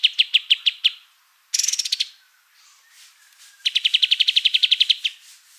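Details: Kapas tembak white-eye song for training other birds: a few spaced high chips, a brief rapid burst of higher notes, a pause, then a sustained run of quick, even chips lasting over a second.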